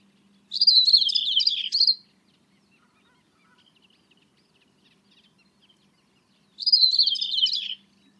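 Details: Common whitethroat gives two short, scratchy, hurried warbles about five seconds apart, with a reed warbler also audible behind. Faint calls of other birds and a low steady hum sit underneath.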